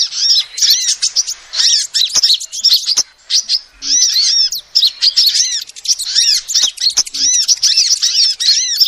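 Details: Female sunbird calls used as a lure: shrill, arched chirps delivered in fast bursts of twittering with brief pauses between, and faint clicks in the background.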